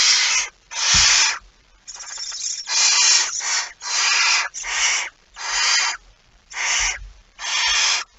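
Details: Barn owl at its nest with a mouse as prey, 23 September 2019: a run of eight loud, harsh, broadband hissing screeches, each about half a second long, separated by short pauses, with faint low thumps in between.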